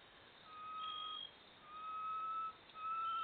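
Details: Great tinamou (Tinamus major), January 2021, giving long, pure, mellow whistles, each slightly rising and held under a second, repeated about every second, over a soft hiss.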